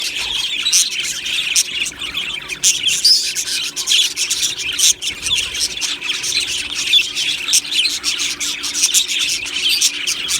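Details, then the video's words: Budgerigars in an aviary colony, Australian parrots, filmed 1 July 2025: a dense, continuous chorus of overlapping high chirps, warbles and squawks from many birds, with short scratchy clicks throughout and a faint steady low hum beneath. "beautiful Budgie birds chirping sounds"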